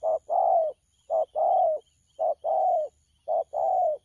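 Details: Thổ pha style coos from a young spotted dove (bổi), 12 October 2019: four loud, clear pairs, a clipped hoot followed by a long mellow coo that slides slightly lower, about one pair per second.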